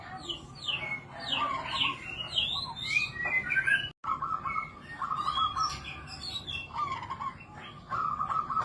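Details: Samberlilin-style song of a zebra dove, a rolling, stuttering coo repeated in regular phrases, while many other birds chirp and whistle higher overhead in a busy chorus.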